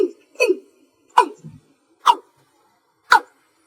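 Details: Watercock (cúm núm) at night giving slow single-note calls: a couple of softer, lower knocks, then three crisp knocking notes about one second apart.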